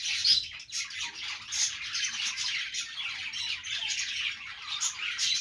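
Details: Pet budgerigars calling during their morning routine: continuous high chattering with squawky, grating notes and a few sharp whistled squeaks, several birds overlapping throughout.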